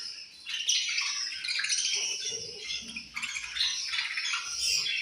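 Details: Several budgerigars chattering while eating, a continuous scratchy high warble with squeaky chirps and faint low rustling underneath.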